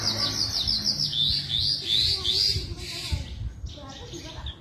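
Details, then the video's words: Javan bush lark delivering a rapid, high chattering run of slurred chirps, repeated about three times per second, fading into softer scratchy notes with low background rumble. "branjangan gacor"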